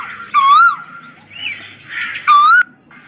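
Asian koel giving two loud, clear whistled notes about two seconds apart, each swooping up at the end, over a faint background murmur.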